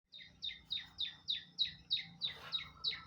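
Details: Long-tailed shrike in full, active song: a string of about ten harsh, buzzy chattering notes, each dropping in pitch, delivered evenly about three times a second over a faint low hum.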